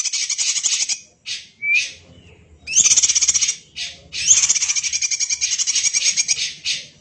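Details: Greater green leafbird singing actively in a tight style reminiscent of the kacer. Buzzy pulsed bursts and a short upward whistle lead into long, evenly stuttering rattles.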